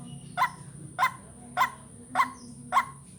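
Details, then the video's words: White-breasted waterhen calls used as a lure for vocal training: five short, harsh, nasal notes repeated steadily about every 0.6 seconds, with a faint steady high whine and low background hum. "Ruak Ruak pikat latihan vocal"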